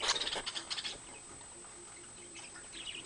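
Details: Pet budgerigar, or parakeet, from an old 2010 home recording, opening with a quick run of bright, scratchy chirps over the first second, then fainter broken warbling notes, with a steady high whine in the background.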